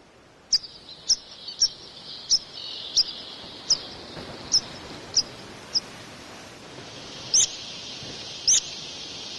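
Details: A singing Dunnock feeding its young in June 2012 on Île de Batz, Finistère, France, giving high, thin, piercing calls, about ten in nine seconds at a quick steady pace, over a constant soft background hiss.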